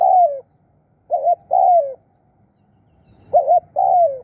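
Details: Spotted dove used as a decoy in bird trapping, giving its 'khu' and 'khrun' calls: three paired coos, each a short wavering note followed by a longer, smoothly falling one, in a quiet setting.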